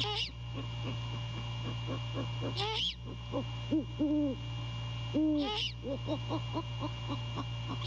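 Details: Courting great horned owls at their nest at night, 15 January 2022, the male calling to his mate: runs of fast soft notes, high rasping squeals, and three deep sustained hoots, with a low background hum.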